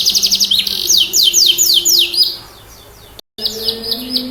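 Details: Canary in strong song, meant to get silent or stressed canaries singing. A fast chirping trill leads into slower, loud downward sweeps that fade out. After a short break the high, rapid trilling resumes.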